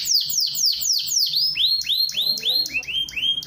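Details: Canary song used as a lure to prompt lazy caged canaries to sing: loud, very high, rapid repeated downward-sweeping notes, then rising-and-falling whistled phrases repeated several times a second, without other clear sounds.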